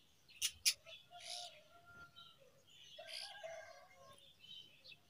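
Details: Brown rock chat among rocks, extremely excited for food: two sharp, loud clicking notes open the recording, then bursts of high, scratchy chirps, while faint steady lower tones run beneath.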